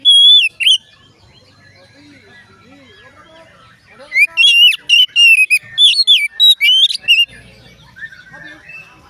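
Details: Oriental magpie-robin song, said to prompt other magpie-robins to sing; a brief whistled phrase, a quiet stretch with soft low sounds, then a burst of loud, rapid, varied whistles and chirps.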